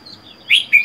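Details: Lone caged Red-whiskered bulbul, four months in captivity after capture, utters two quick clear slurred notes against a faint steady high whine.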